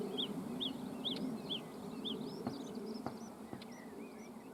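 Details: Bluethroat on a summer evening at sunset near dachas and water in a river floodplain, singing a series of repeated looped whistles, then sliding and upswept notes, with faint clicks and a low insect drone beneath.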